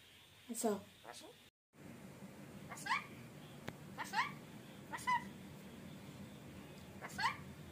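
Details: Talking rainbow lorikeet indoors producing short, clipped, voice-like syllables at irregular intervals, each a quick bright burst with a bent tone, separated by gaps of low room noise.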